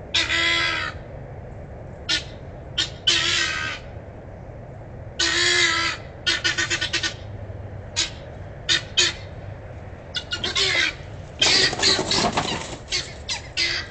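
Helmeted guineafowl give harsh, grating alarm calls in loud, irregular bursts while fleeing a hawk.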